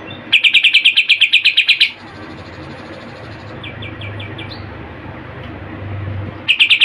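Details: Greater green leafbird in full song with mimicked phrases, delivering a rapid run of about twelve sharp, high notes, a quieter stretch with faint soft notes over low hum, then the rapid series resuming.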